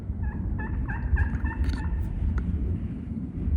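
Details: Wild turkey gobblers on public land, heard from a hunter's setup spot across the woods on opening morning of the 2025 season: a rapid rolling burst of throaty gobble notes lasting under two seconds, over heavy low rumble of wind or handling noise.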